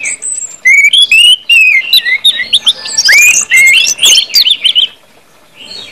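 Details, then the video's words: Orange-headed thrush singing, a recording meant to prompt other birds into song: rapid run of clear whistled slurs and warbles, rising and falling, dense mid-clip then fading to near quiet at the end. "KUMPULAN ANIS MERAH NGEPLONG BIKIN CEPAT BUNYI DAN GACOR ANIS MERAH"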